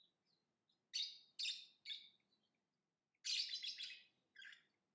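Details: Lovebird uttering three quick buzzy chirps about half a second apart, a pause, then a longer dense chattering burst and a final short chirp.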